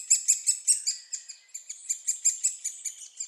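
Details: Loud, shrill chittering of fed great spotted woodpecker chicks, Staverden, Netherlands: quick high squeaks, roughly four a second, running on without pause.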